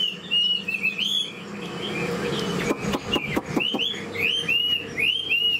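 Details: A captive, mostly tamed Chinese hwamei, described as an old wild-caught bird with a fast, very fine voice, sings a rapid, varied run of loud, rich whistles with sweeping upslurred and looping notes; a few sharp clicks or knocks break in midway.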